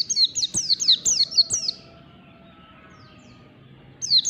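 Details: White-eye in ngalas style in the morning: a short rapid burst of high descending whistles, then near silence, then the song resuming at the end.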